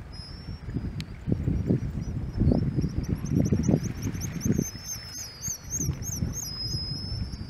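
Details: Black guillemot in Iceland in June 2022 giving thin, high whistled notes in a quick wavering series over heavy low wind and surf rumble.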